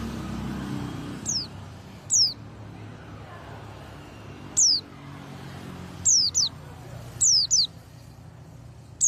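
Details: White-eye in the morning after bathing giving scattered single high, sharp down-slurred notes, sometimes in quick pairs, several seconds apart, over a steady low rumble of background noise.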